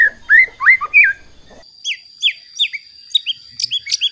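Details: White-rumped shama song to anger rival shamas, loud rising whistles at the start followed by spaced, sharp downslurred high notes roughly every third of a second.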